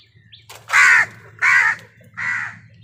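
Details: Three harsh crow caws in a row, each about a third of a second, the last slightly softer, over a low background hum while crows fight other birds for food.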